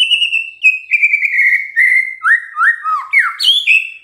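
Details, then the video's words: Unbroken gacor song of a white-rumped shama: clear, even whistles that slowly descend, then a series of looping, upslurred notes. It ends with a sharp high flourish. "DENGERIN INI MURAI BENGONG LANGSUNG BUNYI GACOR"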